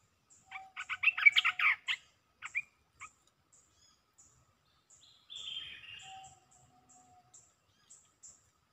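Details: Red-whiskered bulbul cage bird singing 'poet dok' rapidly: a dense cluster of sharp, clicky chirps lasting about a second and a half, then scattered single ticks and a brief hissing burst in an otherwise quiet setting.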